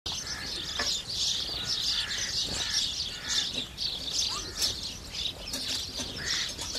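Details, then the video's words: House sparrows feeding, a dense chatter of overlapping high chirps and tweets running without pause, with faint low rustling underneath. "House Sparrows Feeding and Making Sound"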